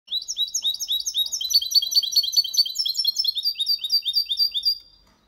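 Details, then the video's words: Goldfinch hybrid mule singing a clean, rapid song of high, bright twittering notes with trills and buzzy chirps, about five seconds long, delivered continuously before stopping, with a quiet background. "Mixto de Jilguero cantando Limpio / mule of goldfinch singing the best chirping"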